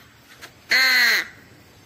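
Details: A single harsh, nasal caw from a black crow of the genus Corvus, lasting about half a second with a slight downward slide at its end; otherwise near silence.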